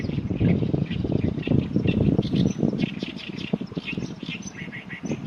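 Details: Harsh, chattering song of an Oriental reed warbler, a quick series of rasping notes with uneven rhythm, partly masked by constant low wind noise.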